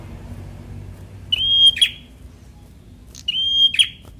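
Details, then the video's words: Fighter-style song of a semi-young Bar-winged prinia, used to stir reluctant birds to sing. Two loud phrases: a short chip, a level thin whistle, then an abrupt buzzy burst, spaced nearly two seconds apart over a quiet background. "Prenjak Semi Muda fighter || Rangsang bunyi burung Malas bunyu"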